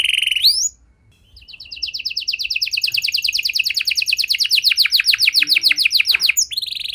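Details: Canary song intended to stimulate non-singing canaries: a short rising note, a brief quiet gap, then a long, steady, high rolling trill of rapidly repeated notes that swells in strength.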